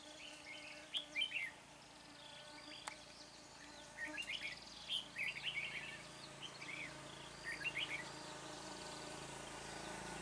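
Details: At Chua Huong on 24 March, a decoy red-whiskered bulbul sings to draw wild birds into a trap: short bursts of chattering warbled notes every few seconds, faint against a noisy, humming outdoor background.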